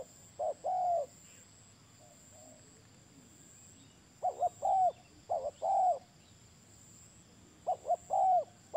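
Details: Spotted dove giving spaced phrases of two quick short coos and a drawn-out, gently falling hoot, with quiet pauses of several seconds between phrases over a steady faint hiss.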